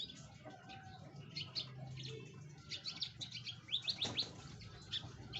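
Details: Canary singing, meant to coax a reluctant canary into song: a quiet start, then a run of sharp, high chirping notes that quickens into a rapid twittering series near the end, with a low background hum.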